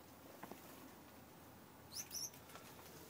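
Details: Young yellow Gouldian finches kept indoors, newly leaving the nest, utter two or three thin, high-pitched squeaks in quick succession late in the recording, after soft rustling and light taps.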